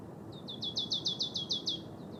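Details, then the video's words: A Marsh tit recorded in Trentino in February 2024 delivers a rapid run of about ten bright, clipped, falling notes at a steady pace, then stops, with a low background hum. "Cincia Bigia"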